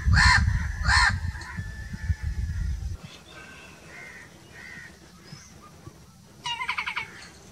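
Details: Crow calling two loud, hoarse caws in quick succession amid heavy low rumbling, then softer distant calls and a brief rattling call near the end.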